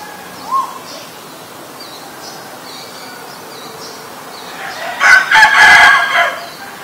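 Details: Asian koel, with male and female featured; a short rising note early, then a loud, fast series of harsh, clustered notes near the end, amid a noisy background.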